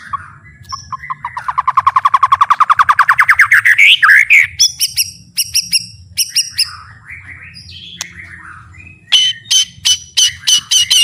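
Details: White-rumped shama full song for master training: an accelerating rapid trill rising in pitch, then clipped high notes, soft twittering and a final run of sharp repeated chips.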